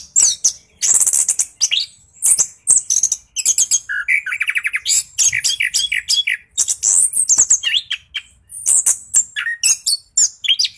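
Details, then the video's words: Orange-headed thrush (anis kembang) song used as a lure to provoke other birds into singing: dense, varied rolling phrases of high whistles, rapid trills and buzzy notes, with short pauses between bursts, mostly very high-pitched. "PANCINGAN SUARA ANIS KEMBANG GACOR NGEROLL , JITU RANSANG ANIS KEMBANG MALAS BUNYI LANGSUNG NYAUT"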